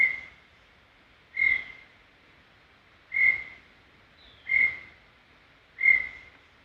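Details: Brown tinamou singing in Serra do Brigadeiro State Park: clear, pure whistled notes at one steady pitch, five notes spaced about 1.3 seconds apart, each with a soft fading tail. A faint higher, descending whistle sounds in the background.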